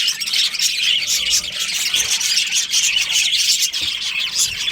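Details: A crowd of breeding budgerigars giving nonstop high, scratchy chirps and squeaky squawks, many birds overlapping in a thick chorus.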